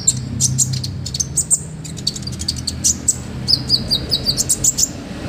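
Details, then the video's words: An olive-backed sunbird sings vigorously with a full, luxurious fill-in repertoire, recorded as a tutor for other birds: rapid high tweets, then a steady series of about eight evenly spaced sharp chips. "MASTERAN KONIN GACOR FULL ISIAN MEWAH KOMPLIT BUAT TERAPI BURUNG LAIN"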